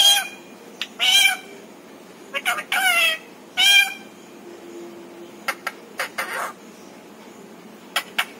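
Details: Talking parrot kept as a pet, repeating learned words; loud harsh speech-like bursts early on, followed by scattered brief clicks and chips.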